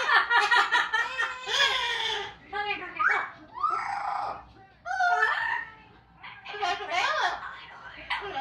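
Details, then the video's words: Amazon parrots pour out loud, wavering, speech-like phrases and sliding squawks in quick bursts, with brief pauses, in a small room, running through mimicry including opera, police sirens, a Pac-Man death sound and "corre corre". "Amazon parrots singing, talking and making noise"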